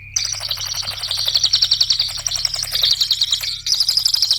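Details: High, dense trilling song of a cililin, meant as a lure for competition songbirds, runs almost without break: rapid repeated buzzy notes, pitch shifting slightly midway, above a faint steady hum.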